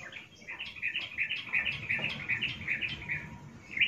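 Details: Yellow-vented bulbul, a female in breeding condition, calls to a male with an even series of mellow, slightly rolling notes, several per second, over a noticeable low background rumble.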